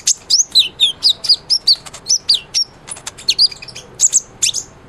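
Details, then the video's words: Kolibri ninja sunbird in active song for white-rumped shama training: a steady sequence of sharp high notes slurring downward, roughly two per second, mixed with thin chips and a few buzzy phrases. "SUARA BURUNG KOLIBRI NINJA GACOR"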